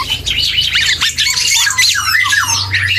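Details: Immature black-and-yellow oriole rehearsing song, a brief burst of rapid twittering and squeaky slurred whistles, including clear arched notes, over a low hum.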